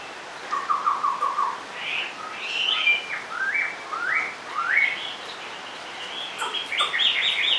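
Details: Caged Chinese hwamei sings a loud, varied run of rich whistled phrases, sliding up and down, with sharper rising notes and trills toward the end.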